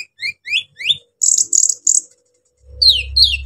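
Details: Brown-throated sunbird singing rough provoking phrases aimed at other sunbirds: rising squeaky whistled notes, a buzzy high chatter, then descending shrill slurs, with a low hum joining at the end.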